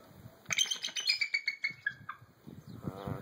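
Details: At a Minnesota zoo that cares for hurt or ill native animals, an eagle gives a distress call: a rapid run of about a dozen thin, high chittering whistles, each slightly falling, then a low rough murmur.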